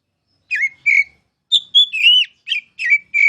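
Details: Kacer, or oriental magpie-robin, giving masteran song in a clean setting: a few clear whistled notes with down-slurred starts, then a longer wavering whistle and more short phrases, spaced by short pauses.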